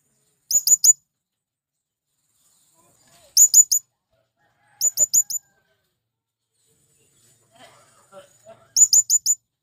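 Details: Male blue-crowned hanging parrot calling to its companions, used to draw in wild birds: four bursts of three to four very high, sharp, squeaky notes in quick succession, separated by pauses of one to four seconds, with faint low clicks between them.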